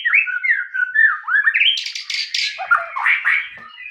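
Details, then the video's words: Varied song of a white-rumped shama: slurred, warbling whistles gliding up and down, then harsher buzzy bursts and squawk-like notes, delivered continuously without breaks. "MURAI TAMBAH NGOTOT DENGAR SUARA ASLI INI"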